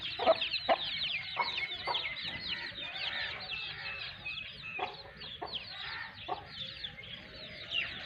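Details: Pakistani Aseel hen with chicks two months old, Sindh. Irregular low clucks, about two a second early then sparser, sound beneath a dense chorus of shrill, rapidly repeated chick cheeps.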